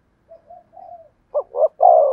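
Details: Spotted dove in thổ sấm voice style: three quiet, soft introductory coos, then a rising build of two short loud hoots into a long booming coo.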